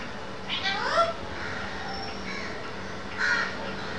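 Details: A 22-year-old pet Alexandrine parakeet in its cage says "Hello" in a sweet, human-like tone, recorded around 13:15 on 30 January 2014: two short, raspy, word-like bursts about two and a half seconds apart over a steady low hum.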